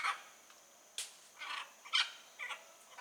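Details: Blue-and-yellow macaw in nature giving brief, hoarse squawks in quick succession, sharp rasping notes about every half second, fairly quiet with a faint background hiss.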